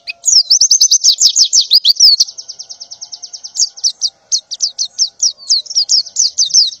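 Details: Female white-eye in breeding condition calling for a male in the morning: a dense, high-pitched twitter of short sliding chirps, about three per second, running almost without pause. Faint low hum underneath, no other birds.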